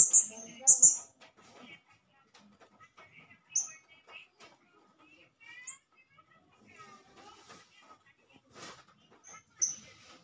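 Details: Male blue-crowned hanging parrot calling to rile up other hanging parrots as a lure. Piercing high squeaks, two quick ones at the start, then scattered single notes several seconds apart over soft chattering and faint voices.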